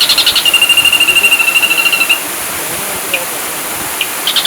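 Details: Ashy drongo singing a fast pulsed trill layered with a long steady whistle for about two seconds, then brief isolated squeaks and a new trill starting at the end.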